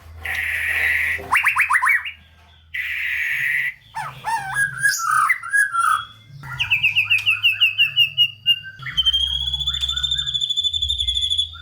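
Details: White-rumped shama song used as a lure to stir lazy, low-spirited shamas into singing; rich, full repertoire. A hissing burst comes first, then rapid rising notes, trills and varied whistled phrases, ending in steady high repeated notes.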